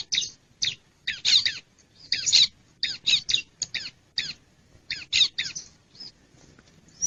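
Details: Bar-winged prinia calls played to lure wild birds: a steady series of sharp, scratchy chip notes, some doubled, coming roughly twice a second, with occasional brief high whistles.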